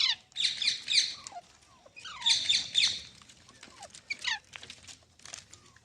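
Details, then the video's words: Green parrot with two bursts of coarse, scratchy squawks and brief downslurred screeches, followed by softer scattered calls over a faint background hiss. "Funny Parrot Sounds"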